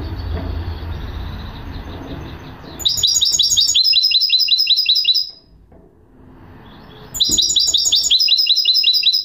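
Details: Goldfinch hybrid (mule) singing two bursts of rapid, high, tinkling twitters and buzzy trills, with notes repeated quickly in runs of about two seconds. A short pause separates the bursts, and a low rumble is heard beforehand.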